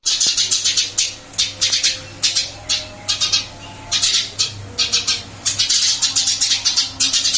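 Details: Caged Eurasian tree sparrow, still singing actively after moving to a new cage, giving bursts of sharp, bright chirps in quick runs of three to six notes, with short pauses between bursts, over a faint low hum.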